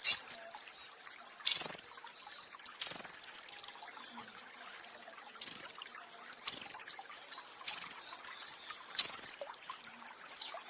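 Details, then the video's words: Flowerpecker (pentis raja) song for training other birds: very high, thin sharp ticking notes and short buzzy trills, in bursts repeated roughly every second over a quiet background. "Masteran Pentis Raja ~ Musuh Langsung Birahi Masal (Suara Asli)"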